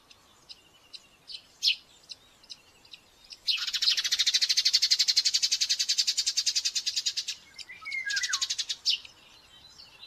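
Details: Common buzzard chick at a nest in Tiszalök, Hungary, behaving aggressively during breakfast feeding on May 5, 2024. Scattered sharp high chirps, then a fast, buzzy, pulsed chatter lasting about four seconds, a brief pause, and another shorter burst.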